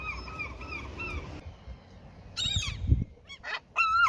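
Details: Seagulls being fed where someone fishes: a few steady, drawn-out cries early, then short bursts of harsh squealing near the end, with thumping low handling noise in between.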